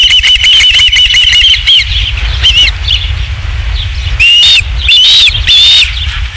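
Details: Osprey at the Dunrovin Ranch nest on 27 July 2016, around the third fish brought in: a quick run of high, whistled chirps, then short pauses and three louder, upslurred squealing notes near the end, over a low steady hum.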